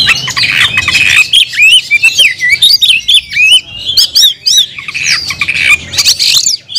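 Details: Caged oriental magpie-robin (kacer) in vigorous gacor song: a rapid run of varied whistled slurs and sharp chirps, with harsh broadband bursts mixed in and a faint low hum in the room.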